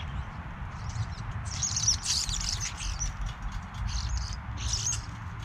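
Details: Several European starlings (Sturnus vulgaris) at a backyard bird feeder chatter with overlapping high, squeaky and clicking notes in short bursts over a steady low rumble of wind.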